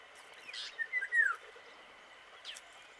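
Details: Indian golden oriole (Oriolus kundoo) calling: a short run of fluty whistled notes, the last a loud, clear whistle slurring downward, then quiet with steady background hiss and one faint distant note.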